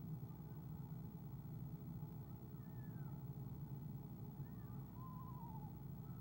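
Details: Eastern screech-owl on an owl cam, 17 February 2015, trilling softly at its mate's arrival: faint higher sliding sounds first, then a low wavering trill near the end, over constant deep hum.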